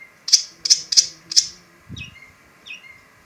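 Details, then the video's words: Shrike giving four loud sharp chips in quick succession, followed by two softer slurred notes and a brief low thump, with a constant faint hum in the room. "Ocehan burung pentet"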